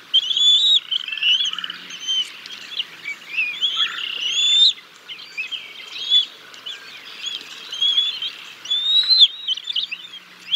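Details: At the Decorah North bald eagle nest on 6 May 2022, while the male feeds fish to the chicks until the female takes over: dense, overlapping high-pitched chittering whistles and squeals, almost continuous, with brief pauses.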